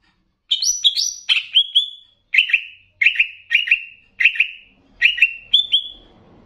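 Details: Banyuwangi greater green leafbird in a master recording mixed with bebeci song for training caged leafbirds. Paired and tripled bright whistled notes that sweep up and level off, repeated in steady groups over six seconds.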